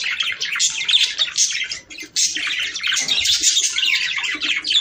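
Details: Warbling budgies, recorded to stimulate mating: thick high chatter of chirps and squeaks that dips briefly near the middle, then resumes at full strength.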